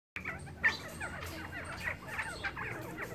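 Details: Scaled quail (Callipepla squamata) giving short, sharp mid-pitched chips and chirps, one louder note standing out, over a faint low hum.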